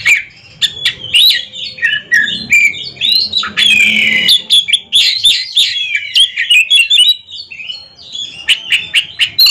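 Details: Song duel of caged Oriental magpie-robins at a contest: clear sweeping whistles and rattling chatter in quick succession, punctuated by sharp clicks.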